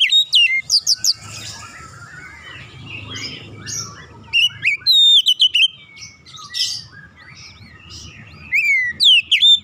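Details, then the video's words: Oriental magpie-robin song used as a lure to prompt other birds into singing: loud, rich bursts of sharp whistled notes and rapid descending slurs, with a quieter chattering pause in the middle and a low rumble beneath. "PANCINGAN KACER langsung latah ikutan gacor"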